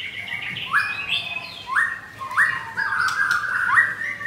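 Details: Blorok white-rumped shama wearing double rings, caged at a kiosk in Jakarta, Indonesia, 9 am on Thursday 19 May; loud upward-sweeping whistles delivered about once a second between softer warbled fragments.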